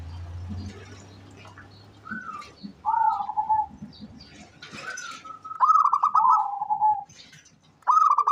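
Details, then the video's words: Local zebra dove calling actively, recorded as lure audio: after two quiet seconds, rising stuttered cooing notes fall into a held mellow coo, then a longer rapid pulsed trill ends on steady lower tones. "SUARA perkutut LOKAL gacor cocok buat pancingan rajin bunyi"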